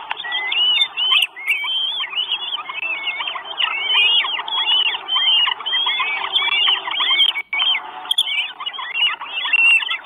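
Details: Northern goshawk nestlings, four chicks in Estonia, begging for food at a camera-watched nest on 1 June 2022: a continuous chorus of thin, overlapping chirps and whistles with brief clicks.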